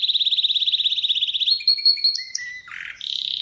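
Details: Atlantic canary song with a quick pulsing trill, then clear whistled notes at two pitches, a low buzzy rasp and a final rapid roll.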